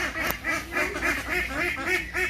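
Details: Around 6 a.m. outside, beside a pond in Bangladesh, a domestic duck quacks in a quick nasal series, about eight harsh quacks in two and a half seconds, with one sharp click early on.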